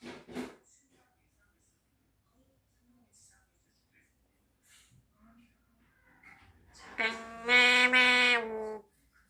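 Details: A 4-year-old pet Eclectus parrot in a quiet room, mimicking a Korean children's song ("school bell rings"), gives a short vocal burst and scattered faint sounds, then a drawn-out, rich, sung note near the end.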